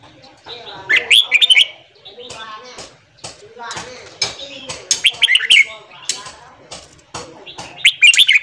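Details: Red-whiskered bulbul morning singing to stimulate newly caught birds: dense, busy bursts of chattering and warbled whistles coming in clusters, with little pause between them.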